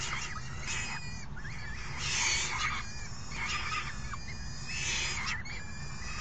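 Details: Falcon nestlings clamour for food as a parent feeds them, 3 June 2018. Grating, slurred screeches rise and fall in bursts roughly every two seconds, with a deep rumble underneath throughout.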